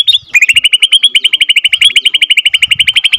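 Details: Borneo white-rumped shama (F2 captive-bred) rolling out the long ngerol song, a rapid even string of clipped high notes repeated many times a second without a break.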